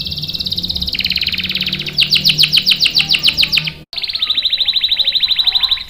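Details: Young male canaries are lured and trained with this song: a soft high trill swells into louder, evenly pulsed notes, stops briefly, then resumes as a steady, fine, rapid trill.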